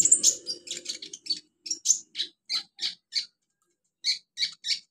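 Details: Olive-backed sunbird in the wild, natural habitat, giving a series of short, high, sharp notes spaced roughly every third of a second, with a brief pause before a final cluster of three.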